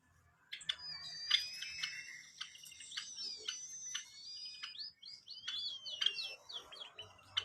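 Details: White-headed munia song: thin, very high drawn-out whistles, several long level notes overlapping one another, broken by short sharp clicks and ticks, with scattered chirps throughout.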